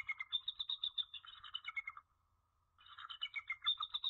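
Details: Nesting female bald eagle, Jordan Lake, 21 January 2013, 5:35 pm, calling for her mate: rapid rattling series of high piping notes, about ten per second, broken by a short silence before a second chattering run.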